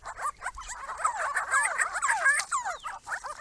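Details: Grey-crowned Babblers at a pond made for them, a small group calling together in a dense, continuous chatter of quick squeaky downslurred and upslurred notes, overlapping throughout.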